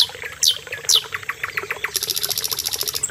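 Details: Common nightingale, or sikatan londo, singing two loud downward-swooping whistles followed by a rapid, regular pulsed trill that runs to the end.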